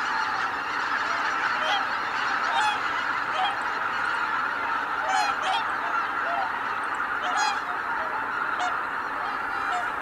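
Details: At Kabukuri-numa on 12 January 2019, a flock of greater white-fronted geese rising together fills the air with a continuous wall of honks, and squeaky higher calls cut through repeatedly.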